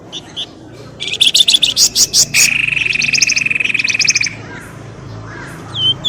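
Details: Bird lure, pelamboyan ribut, used to bring birds out of bushes: a burst of loud rapid chirps, then a steady buzzy trill lasting about two seconds, fading into quiet.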